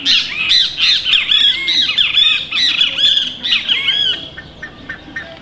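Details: Red-breasted toucan, recorded 25–26 June 2014, giving loud, harsh squawking notes in a rapid, uneven series of arched, nasal yelps, fading toward the end.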